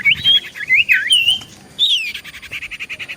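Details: Common iora, singing vigorously as a lure for replies, gives wavy slurred whistles, a downward-sweeping note, then a run of evenly spaced short buzzy chips.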